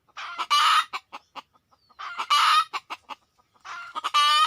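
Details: Red junglefowl drawn in by luring: three bursts, each a soft lead-in note rising to a loud harsh squawk followed by quick fading clucks, the last squawk more nasal and ringing.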